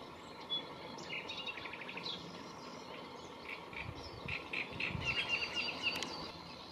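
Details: Song of a great reed warbler recorded 30 April 2022 at the La Guardia lagoons in Toledo: fairly regular, rapid series of grating, chirping notes, about four per second, over a steady hiss of other marsh sounds.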